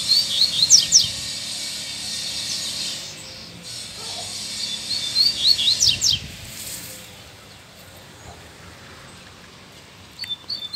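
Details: Free double-collared seedeater singing vigorously after a female's arrival: two quick phrases of bright high chirps ending in sharp down-slurred notes, separated by a pause, then faint scattered chirps over low background hum.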